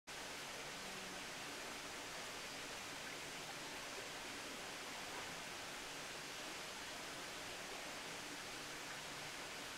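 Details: A steady, even hiss of broadband noise like rushing water fills the whole stretch, with no animal calls.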